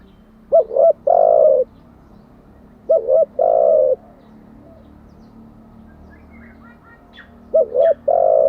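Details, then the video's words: Decoy spotted dove cooing three times over about eight seconds. Each phrase is a quick stuttering double note, then a longer, full, low hoot. Faint high chirps from other birds come near the end. "Tiếng chim cu gáy mới nhất, dùng luyện chim gáy bổi và mồi hàng ngày"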